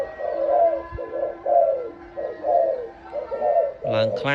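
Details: Loud-voiced dove for sale repeats soft arched coos about once a second; a man's voice breaks in at the very end.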